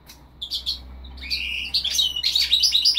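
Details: Goldfinch crossed with linnet opening with a few soft chirps, then building into a bright, rapid twittering song with slurred whistles.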